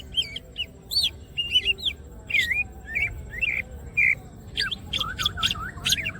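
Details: Greater green leafbird (cucak ijo) opening its wings and singing vigorously: a fast, varied run of clear whistled and chirping notes, some rising or falling sharply, delivered in bursts with short pauses, over a faint low background hum.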